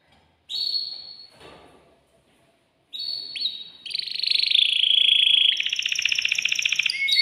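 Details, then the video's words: Agitated caged male canary courting a female: a long whistle, a pause, then short whistles leading into a loud, fast, buzzy trill that drops lower and keeps rolling. "تغريد ذكر كناري هائج يريد تكسير القفص يحفز الأنثي لتزاوج"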